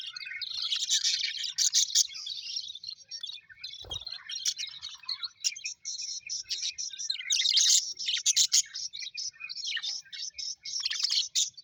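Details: Several colourful Australian budgerigars kept as pets, happily chirping: a thick wash of twittering, raspy warbles and sharp clicks, steady and overlapping, with one short low thump near the middle.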